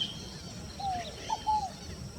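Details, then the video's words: A scaled dove gives a soft, low three-part cooing phrase of short slurred notes, the last drawn out and falling; a faint high note and low background rumble are also heard. "O canto da rolinha fogo apagou"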